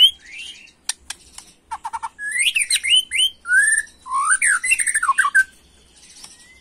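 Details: White-rumped shama, young and agitated, 'macul' style: sharp clicks and short rising notes, then loud varied whistled phrases with swooping, slurred notes and high chips, ending quietly.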